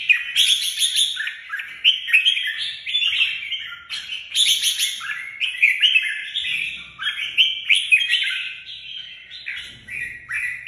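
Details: Red-whiskered bulbul kept as a songbird in Vietnam gives a long, continuous run of rich, fluty warbled phrases, with louder bursts near the start and middle.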